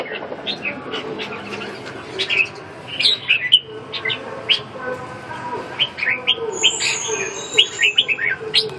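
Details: Red-whiskered bulbul giving short, bright whistled chirps scattered irregularly through the recording, some slurred up and down, over a steady low background hum with faint high tones near the end.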